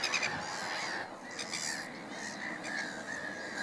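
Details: Clamouring black-headed gulls at Middleton / Fishers Mill, with a Mediterranean gull in the group: short grating squawks from several birds, overlapping and uneven in timing.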